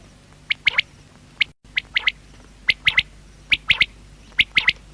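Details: Clean repeated three-note phrases from a quail, high and clipped, spaced about a second apart with a brief dropout early on; soft steady hum underneath.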